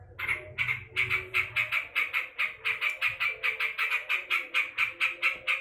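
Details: Angry yellow-vented bulbul calling loudly: a fast run of rasping, scratchy notes, roughly three per second, keeping up an even, insistent rhythm throughout.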